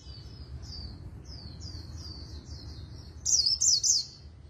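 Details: Oriental white-eye in rapid líu đấu singing: a quieter run of thin, high, sliding twitters, then a short loud burst of three sharp zigzag notes near the end.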